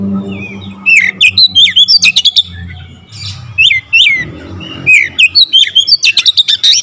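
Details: Chatty Oriental magpie-robin pouring out dense, fast bursts of full variation fill-in: clustered high chips and curling whistles in rapid series, a brief softer break, then another quick volley, with low humming noise underneath.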